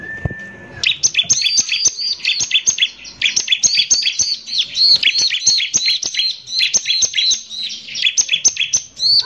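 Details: Bar-winged prinia in 'nembak kasar' lure song to agitate other prinias: a long steady whistle, then an almost continuous stream of fast, high, looping chirps lasting about eight seconds.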